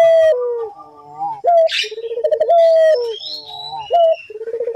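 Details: Dove lure call of a collared dove (puter): clear tonal coos falling at the end, separated by soft rising notes and a rapid throbbing trill, with a brief scratchy noise.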